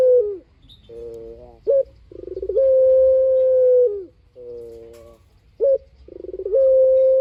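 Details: Spotted dove, a lure recording of a persistently singing bird: a short rising coo, a rolling burred note, then a long steady hooting coo that falls away at its end, the phrase repeating twice; background quiet.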